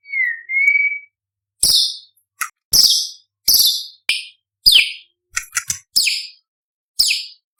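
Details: Imported white-rumped shama, a champion contest bird, in full varied song: opens with a smooth mid-pitched whistle, then fires a series of sharp, high, downward-sweeping notes with clicking attacks, roughly one per second.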